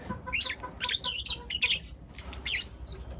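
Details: Morning chirping from young lutino lovebirds: a few buzzy, wavering high squeals in quick succession, a short pause, then another cluster of shrill chirps and a last faint peep.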